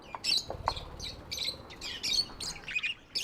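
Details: Pet budgerigars trade short, sharp chirps and squeaky whistles in bursts, some notes clear and piping, others rasping, over a soft low rumble.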